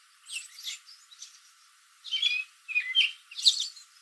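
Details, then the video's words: Backyard American robin in a tree late in the afternoon, exchanging calls with other robins; a few soft notes at first, then louder sharp chirps grouped near the end. "American Robin Afternoon Call"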